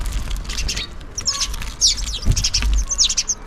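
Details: House sparrows calling for food as they feed, a lively run of bright, short chirps packed closely together, overlapping from several birds, over a low rumbling background.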